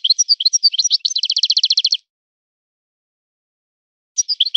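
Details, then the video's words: Wild-born European goldfinch singing in a particular breeder's style. Lively twittering passes into an even, rapidly repeated buzzy trill lasting about a second, then silence before more high chirping. "طائر من طيور لي تاتغرد على نمط طيور سي حسن الكلوب ولد الغابة"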